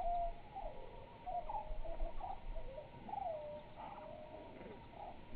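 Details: Soft, low hooting notes from a Eurasian hoopoe at Kamenice, Kosovo, short and mellow, repeated irregularly over a faint background hiss.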